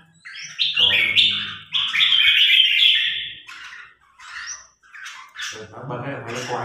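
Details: New red-whiskered bulbul sparring with a top-ranked provincial bird: a long loud rich warble lasting about two seconds, then shorter high whistles, with men's voices underneath.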